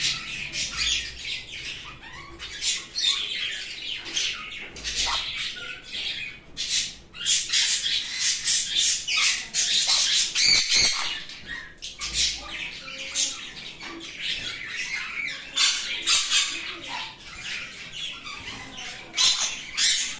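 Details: Sun conure (Aratinga solstitialis) gives loud, harsh, high-pitched squawks in rapid, irregular bursts.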